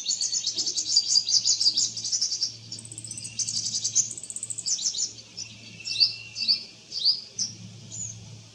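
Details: Purple sunbird in eclipse plumage singing in a garden, giving a rapid, high, thin twittering song with sharp rising and falling notes and varied phrases; a faint low hum runs beneath.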